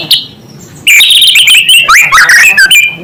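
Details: White-rumped shama in loud, dense song aimed at agitating other shamas: an unbroken stream of varied whistles, trills and slurred notes with short breaks.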